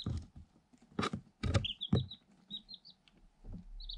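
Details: Light Sussex chicks, eight, one day old, are in a cardboard box and busy pecking. A short string of high, falling peeps sits among heavy knocks and rustling against the box.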